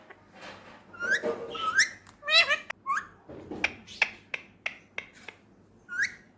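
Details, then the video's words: Talking male ringneck parakeet, a Pakistani pet bird, mixing whistled upslurs with chattered speech-like phrases and a quick series of sharp clicks. "talking parrot"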